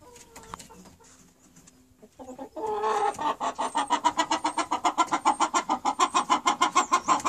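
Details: Chickens clucking in a steady run of short, even pulses, roughly three to four per second, growing louder after a quieter start with faint tonal sounds and low rumble.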